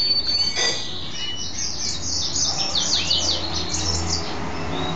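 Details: Male goldfinch hybrid (mule), kept as a pet, singing happily after bathing; rapid high twitters and chattering descending notes run continuously over a low room hum.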